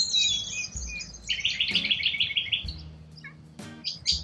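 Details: Wild corella cockatoos in Australia give high scratchy calls, then a fast even run of about a dozen rasping notes, with a few sharp clicks.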